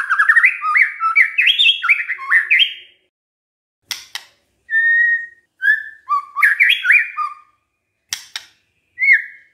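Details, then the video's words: White-rumped shama song used as a lure to make other shamas answer: loud rich whistled phrases with rapid rising and falling notes around mid-high pitch, in bursts separated by short silences, with a few sharp clicks. "pancingan murai batu GAK PAKE LAMA, murai langsung nyaut saat dengar ini"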